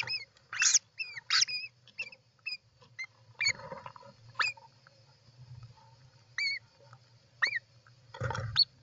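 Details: European roller at a nest on 29 June 2024: scattered short, harsh calls with hooked, upward-bending notes, some paired, over a low background hum, with a few soft rustles.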